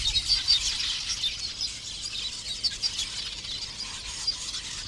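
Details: Lesser masked weavers (Ploceus intermedius) in a busy breeding colony in thorn acacias standing in shallow water at Sunset Dam, Kruger National Park, chatter nonstop: a high, sizzling wash of overlapping buzzy notes and squeaks.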